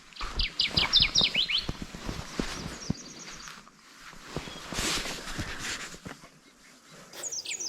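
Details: A Kirtland's warbler sings on its breeding territory in Michigan jack pines on a June early morning, with a loud, rapid burst of ringing chips climbing to an emphatic ending; fainter songs from others follow farther off, with wind and handling bumps.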